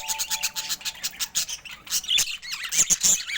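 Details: Colourful pet budgerigars, including rare colour mutations, chattering together in a dense stream of high, scratchy chirps and warbles with quick clicking notes, the twittering rising and falling in short bursts throughout.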